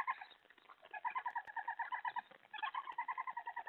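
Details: Owl calling as a mouse is delivered at night, 3:10 AM, 31 July 2017; uneven bursts of quick, throaty pulsed notes, two runs separated by a brief dip.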